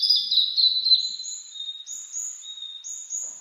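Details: Spring song of a Blue-and-white flycatcher in mountain forest, recorded in 2022 on a cloudy, 14°C day after rain. A loud falling whistle is followed by a string of thin, level whistled notes repeated at a steady pace.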